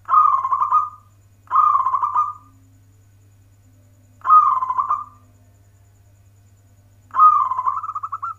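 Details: Local zebra dove performing manggung warung kebek (warkebek) song: four loud, rolling, burry coos, each about a second long, spaced two to three seconds apart, over a constant low electrical hum.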